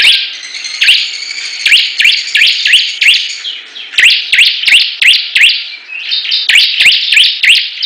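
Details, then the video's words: Competing Bar-winged prinias: a thin sustained whistle at first, then loud, upswept chirps repeated in quick runs with a short pause midway, each note marked by a sharp click. "Perang Ciblek Gacor"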